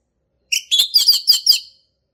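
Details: A short burst from a male orange-headed thrush singing 'ngeplong' style: about five quick, rich whistled notes run together in under two seconds.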